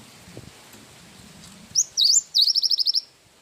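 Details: Cinereous tit in full gacor song with wingko-style filling, recorded for masteran use: quiet background, then a rising whistle and a quick train of about seven crisp, evenly spaced high notes.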